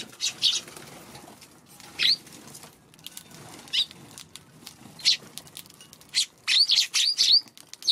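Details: Eurasian tree sparrows on a March afternoon, wary of a Godzilla figure placed near their feeding spot; scattered short chirps in brief bursts with long quiet gaps and light wing flutters.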